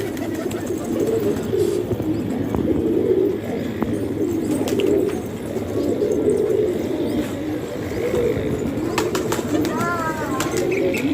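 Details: Several pet pigeons in a Pakistani home loft coo together, producing steady low murmuring, burbling phrases that swell and fade, with a few short higher chirps and clicks late in the recording.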